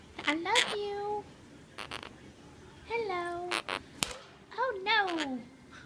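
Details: A pet Quaker parrot (monk parakeet) trying to talk, chattering in short, speech-like bursts of squeaky, rising and falling syllables, about three phrases over six seconds, with a few sharp clicks between them.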